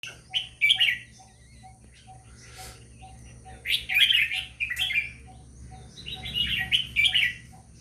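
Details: Red-whiskered bulbul singing: short bright warbled phrases in bursts, rich and liquid, separated by pauses, over a steady low hum and faint regular ticking.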